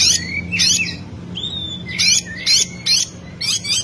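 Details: Oriental magpie-robin singing to provoke a rival: short, loud, high bursts of harsh notes mixed with upslurred whistles, repeated about every half second, over a steady low hum.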